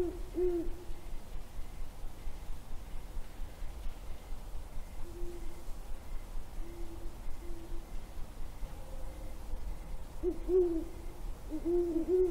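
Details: Hooting great horned owls recorded January 17, 2022: deep muffled hoots in short groups, with loud notes at the start, quieter drawn-out hoots mid-recording and another clear series near the end, over a constant hiss.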